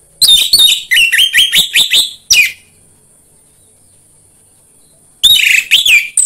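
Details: Orange-headed thrush song used to coax captive birds to sing: a rapid series of similar whistled notes, each swooping downward, repeated about twice a second, a pause, then a shorter harsher burst.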